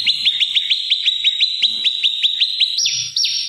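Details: Lure song of an olive-backed tailorbird for training oriental magpie-robins and rousing opponents. Quick high chirps in a steady run, switching to slower, higher, louder notes near the end.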